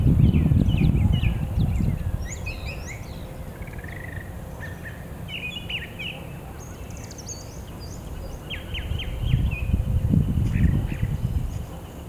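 Brown thrasher singing a run of varied, clipped phrases, some given in quick pairs, over a heavy low rumble of wind or distant traffic.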